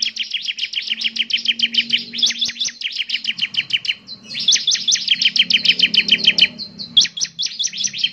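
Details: Bar-winged prinia singing vigorously: fast runs of sharp, high, down-slurred chirps repeated over two pitch bands, with one short pause in the middle of the phrase and a faint low hum behind.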